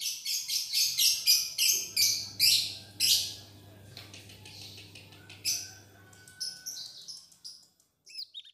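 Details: Black-headed Bulbul kept in a cage, practising song after moulting: harsh broadband rasping notes repeated about twice per second, then fainter scattered twitters and thin high whistles, with a low hum in the background.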